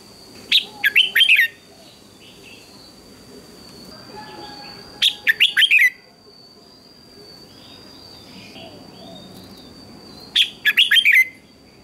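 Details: Morning singing contest of a red-whiskered bulbul: three short bursts of rapid, bubbly whistled notes, each about a second long and spaced roughly four to five seconds apart, with soft chirping from other birds and a thin constant tone behind.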